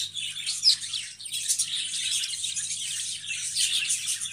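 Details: Budgerigars chattering: a dense, continuous wash of high, scratchy warbles and chirps with brief sharp tweets, steady throughout with small swells in loudness, and a faint low hum underneath.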